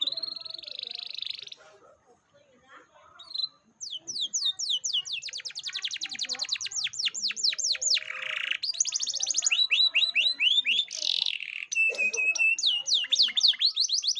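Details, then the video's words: Lure song of a canary, played to coax a young canary into singing. A short buzzy note and a pause lead into long runs of rapid, sharply rising trilled notes, some stretches faster and denser, repeated strongly almost without break. "Pancingan Kenari Paud Agar Bunyi"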